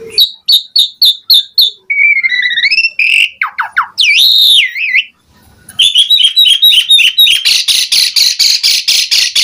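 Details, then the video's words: Asian pied starling in lively full isian style song with mompa puffing: rapid repeated high chirps, slurred whistles, a rising-falling warble, then a fast train of sharp repeated notes at a steady beat. "JALAK SUREN GACOR FULL ISIAN Mompa"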